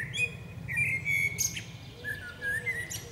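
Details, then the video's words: Female common blackbird singing in a forest: a drawn-out, level fluty whistle with high squeaks, then softer lower warbled notes, over a faint low rumble. "Dźwięk śpiewu kosa. Samica kosa śpiewa. Kos śpiewa w lesie. sounds and singing of the blackbird"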